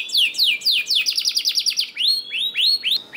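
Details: Canary singing, used as a lure so idle birds start singing: descending swept notes, a quick even trill, then a series of rising, arched whistles.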